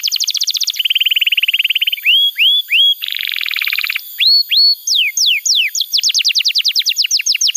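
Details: Varied canary song meant to teach young canaries: a quick high trill, a lower even roll, rising whistles, a buzzy two-tone rattle, then falling whistles and a fast run of sharp descending notes.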